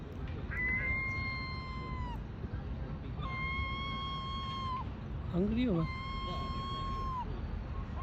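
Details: Hungry gulls screaming in Bournemouth: three drawn-out, level mewing cries each lasting over a second, with a brief lower wavering squeal between the last two; steady background rumble.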